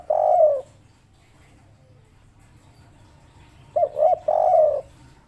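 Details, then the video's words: Local spotted dove giving a 'kuk 3' call type: one short low coo phrase, then after a long pause a quick pair of rising coos and a longer, drawn-out coo, all mellow and low-pitched in a quiet setting. "burung tekukur lokal kuk 3"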